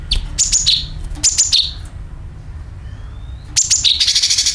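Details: Lure sound of a sooty-headed bulbul: two groups of sharp falling chirps, a faint thin rising whistle, then more chirps running into a rapid harsh buzzy rattle.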